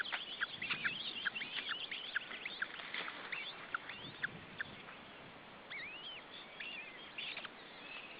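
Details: At an Estonian nest a male osprey tries to feed his chicks; rapid, thin high chirps at first, then a pause and a few longer, rising whistled calls.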